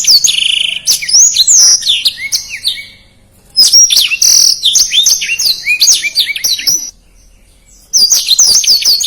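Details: Black-throated canary in fast, dense song with its distinctive phrasing, used as a tutor recording for songbirds: bursts of shrill sliding whistles and quick chips, interrupted by two short silent gaps between phrases.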